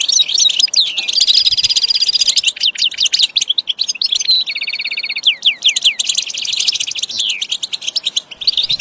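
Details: Caged-bird training recording of goldfinch song: rapid looping high twitters, a steady buzzy rattle around five seconds, then more quick descending chirps and trills.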